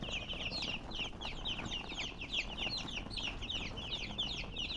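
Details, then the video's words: Steady high chirping from a group of chickens, many short sliding peeps overlapping in a busy, unbroken chorus over soft low background rumble. "silly chicken chirping sounds with murgi hen color chicken"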